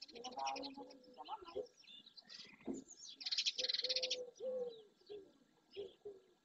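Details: Dozens of barn swallows, many of them juveniles, flocking in early June around an ornithological centre at the marsh edge in Doñana National Park, Andalusia, Spain; bursts of high chattering twitters among lower drawn-out whistled notes from other birds.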